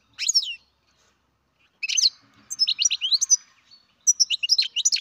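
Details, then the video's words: Captive-bred baby European goldfinch giving bright, high twittering calls in three bursts, short descending chirps clustered rapidly, with silent gaps between. "Καρδερίνα εκτροφής μωρό (Goldfinch carduelis baby."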